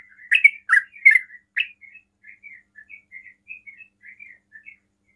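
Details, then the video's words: Sooty-headed bulbul giving a few loud bubbly notes, then a softer string of quick chirps fading out; fast 'ropel' song meant to provoke other bulbuls to respond. "TRUCUKAN ROPEL PALING CEPAT MEMANCING TRUCUKAN LAIN NYAUT"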